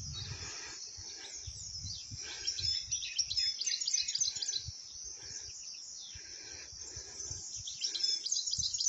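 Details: Wild European goldfinch song recorded in Moroccan nature: high, busy twittering chatter blending into a steady shrill background, with faint low thumps and rustling beneath.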